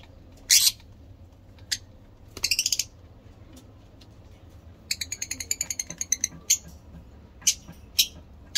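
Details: Caged lovebirds, different mutations from a breeding stock, making shrill sharp chirps, a short rapid trill and a longer stuttering chatter, over faint low hum.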